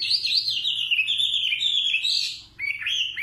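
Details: A nightingale delivers one long, smoothly wavering warble high in pitch, breaking briefly before a short final phrase.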